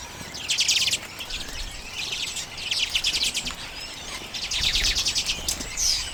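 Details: Common redpolls taking sunflower seeds in late January 2022, Canon EOS M50 camera; loud bursts of rapid rattling chatter about every second or two, interspersed with softer twitters.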